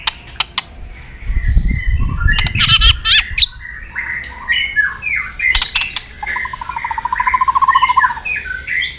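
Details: White-rumped shama in fighting song for training: scattered clicks and soft warbled phrases, a brief low rumbling thump, then a quick, evenly rattled trill on one low pitch.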